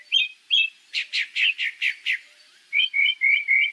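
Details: A Pale-breasted Thrush (sabiá-barranco), in a compilation of Brazilian bird songs, sings clear, mid-high phrases: a run of six quick repeated notes, then warbled whistled notes. There is no other noise.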